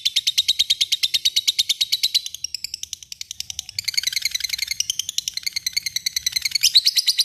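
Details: Long ngekek chatter from a lovebird calling a rival: a fast, steady rattle of shrill buzzy notes, wavering in pitch and briefly breaking before surging back stronger.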